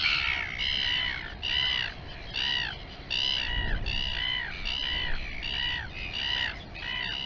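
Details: Royal albatross in the Taiaroa Head colony near Dunedin, New Zealand, recorded by a live cam: repeated nasal, arched, bleating calls, each about half a second, steadily paced, with a low bump midway.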